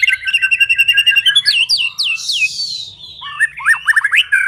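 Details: White-rumped shama singing to lure others: a fast steady trill, a series of upswept whistles, a descending sweep, then rapid chattering rising notes.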